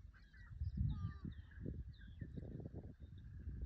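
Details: Marbled godwits in Fayette County, Illinois: several nasal, bending calls overlap as a loose flock chorus, some higher and thinner, over a heavy low rumble of wind or handling noise.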